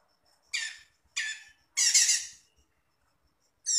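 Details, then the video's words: Cucak cungkok song from a master recording used to train songbirds: three harsh, raspy bursts about half a second apart, the last one longer and fuller, then another beginning at the end, with silence between. "MASTERAN CUCAK CUNGKOK"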